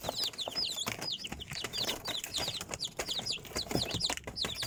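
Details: Chickens, chicks peeping busily: rapid high cheeps sliding downward, several birds overlapping, with rustling underneath.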